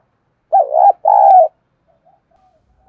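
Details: Decoy spotted dove, kept to call in and provoke wild doves to fight, giving two full, low coos in quick succession: a wavering note, then a longer steady one. A faint soft note follows.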